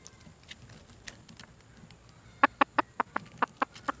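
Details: Red junglefowl hen calling for a mate: after faint scattered notes, eight sharp, clipped clucks follow in an even row about a fifth of a second apart.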